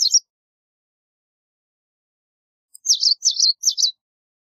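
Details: White wagtail: one brief chirp, a silent gap, then four quick, high, clipped chirps in a rapid burst.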